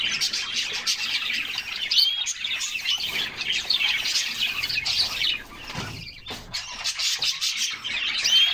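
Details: Several canaries singing while bathing in summer, a dense high twittering chorus with quick chirps and thin rising whistles, broken by splashes and flutters of wet wings, with a short lull near the middle.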